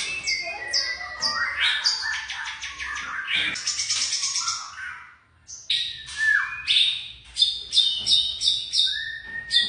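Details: Young white-rumped shama song: a fast stuttering series of repeated clicky notes, a short pause, then clear whistles and downslurred notes mixed with high chips.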